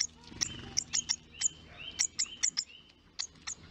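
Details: A baby hawfinch at the nest does a "feed me" begging dance, giving rapid, sharp high ticks, about three per second, mixed with thin drawn-out whistles; faint low hum beneath.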